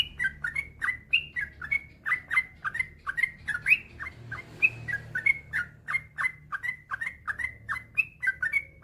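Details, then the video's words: Male yellow-vented bulbul singing a long, even run of bubbly two-part notes, dipping and rising, steady at about four per second, with a soft low hum behind. "Suara burung trucukan gacor ropel panjang"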